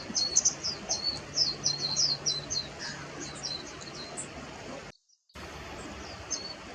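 Warbling white-eye giving a quick run of thin, very high chirps for about four seconds. A brief silent break follows, with faint background hiss.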